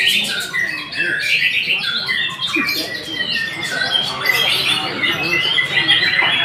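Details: White-rumped shama pouring out varied song, with fluty downslurred whistles, chattering bursts and a few harsh squawk-like notes, strong and unbroken.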